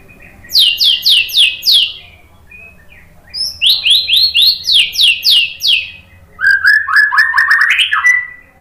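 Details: White-rumped shama lure song (pancingan) for provoking shamas to respond. Rhythmic runs of high, downward-sweeping chips come about four per second, five in a row, then a second run, then lower rising notes.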